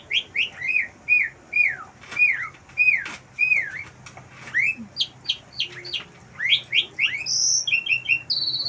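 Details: Asian pied starling at a house terrace, singing wild-bird mimicry: a long run of clear down-slurred whistled notes repeated about twice a second, ending in high buzzy chattering trills.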